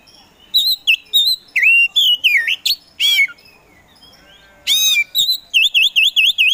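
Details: Caged Kacer Poci Oriental magpie-robin in full song, used to provoke sluggish birds into singing: rapid high whistled phrases with slurred and looping notes, then a run of repeated bouncing V-shaped whistles near the end.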